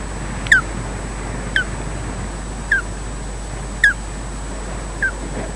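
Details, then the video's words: Osprey chirping as one bird slowly takes over from its mate at the nest, Loch Garten, Scotland, on a wildlife camera: five clear, sharp downslurred whistles, roughly one per second, over a constant low hum and soft rustling. "EJ takes over from Odin, slowly, with chirps"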